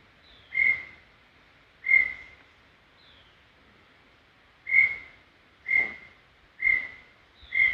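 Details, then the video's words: Brown tinamou singing at Serra do Brigadeiro State Park: six steady whistles at irregular gaps of one to three seconds, each clear and level in pitch, with faint softer notes in a calm background. "Som limpo do canto🎵 do Inhambuguaçu"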